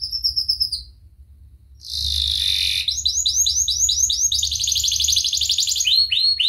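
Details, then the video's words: Canary singing for bird training: a high whistled note, a short pause, a harsh buzzy burst, then long rolling trills of repeated notes and a few falling slurred whistles. "SUARA KENARI GACOR UNTUK MASTERAN | Canary Bird Training"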